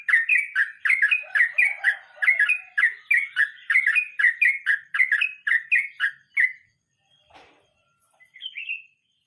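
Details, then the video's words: Sooty-headed bulbul singing the 'ngeroll mbonang' roll: over six seconds of rapid, bubbly chirps, about two per second, then a soft click, a pause, and one final rising whistled phrase. "Trucukan nge roll mbonang istimewa"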